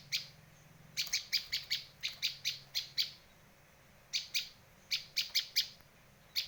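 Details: Bursts of bright, sharp chips from a Bar-winged prinia, used as a lure and tutor recording, delivered in fast runs of five to seven notes with brief pauses between runs.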